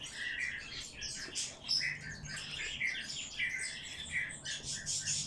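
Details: Hand-fed bird chick begging while being fed: rapid, insistent high chirps and squeaky twittering, continuous with brief dips, over a low background hum.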